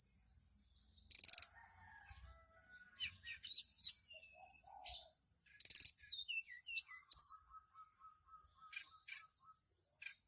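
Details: Caged mountain tailorbird in Purworejo, Central Java, singing in a fluting style while calling a female: thin high whistled notes and sharp rising slurs in bursts, over a steady high hiss, with a lower evenly repeated note series near the end.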